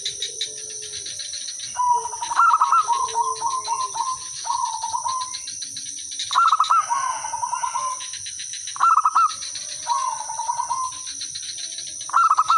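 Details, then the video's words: Zebra doves in song, one used as a lure so others answer: repeated phrases of fast staccato coos sliding into lower, drawn-out rolling notes, several phrases overlapping, over steady high insect whine. "suara merbok kampung/perkutut lokal gacor manggung jadi pikat pancingan semua jadi nyaut"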